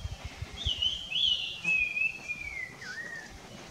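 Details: Streak-breasted scimitar babbler foraging; clear whistled notes wavering and slowly falling in pitch over about three seconds, ending in a lower dip, with faint background noise.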